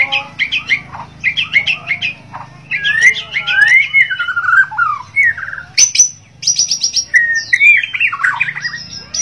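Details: White-rumped shama of the Borneo form, singing in the lively gacor style: rich, varied phrases of whistled slurs, rising and falling notes and sharp chattering bursts, with a steady low hum behind.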